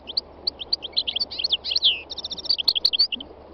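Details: Wild-type North African goldfinch (Carduelis carduelis), three years old, singing on a spring day in Tunisia's north-west mountains; a fast, liquid twittering stream of high chirps and slurred trills, with a brief buzzy stretch in the middle.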